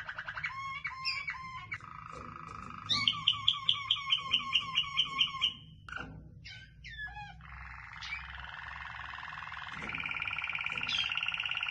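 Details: Waterslager canary in full song: quick looping whistles, a sustained low roll, then a loud run of about a dozen rhythmic bubbling notes, scattered chirps, and finally a long high rolled trill.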